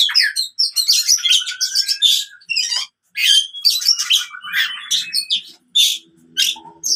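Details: Oriental magpie-robin fighting song for training birds that quit singing: bursts of scratchy, buzzy phrases and sliding whistles separated by short silences, faint low tones near the end.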